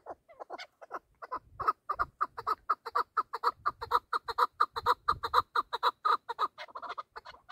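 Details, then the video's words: Hunting chukar partridge in a calling bout: clean, evenly spaced clucking notes, about two per second, building into a steady rhythmic chuk-chuk-chuk run before trailing off. "Бахси Кабкои шикори Кабк Keklik که و Partridge Chukar"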